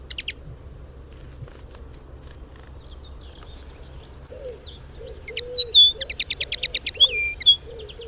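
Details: Lesser redpoll (Acanthis cabaret) recorded in the wild: a few scattered thin chips, then a fast, dry, buzzy trill of high notes and twittering phrases, with a low background hum throughout.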